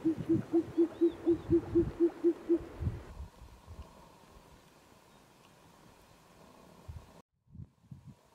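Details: Short-eared owl (Asio flammeus) in Poland on 22 June 2024, calling to defend its territory: a quick, evenly spaced run of about ten low, hollow hoots over three seconds, then quiet background.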